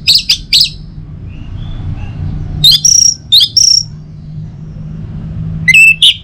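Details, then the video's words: Morning song of a kept orange-headed thrush in Singaraja, Bali, played to stimulate other birds to sing: sharp chirped phrases, a long quiet middle with soft faint notes, then more clear whistles; faint insect and traffic hum. "Saatnya Buat ANIS MERAH NGEPLONG Gacor dirumah. Pancing dengan suara burung ini baik pagi hari."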